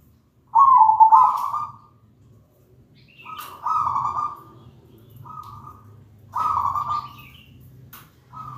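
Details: Lure recording of a zebra dove to set other doves singing: repeated mellow, low cooing phrases with a trilled, rolling quality, some long and some short, a few faint clicks between them.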